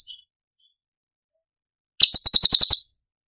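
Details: Cucak cungkok from Cililin singing tembakan for masteran use: after a silence, one crisp burst of about eight rapid, bright, staccato notes lasting roughly a second.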